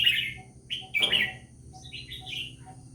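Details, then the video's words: Red-whiskered bulbul, a bird called Vietnamese-type, giving short warbled phrases of bubbly notes over a steady low hum. "เสียงนกกรงหัวจุก # เจ้าเวียดนามน้อย"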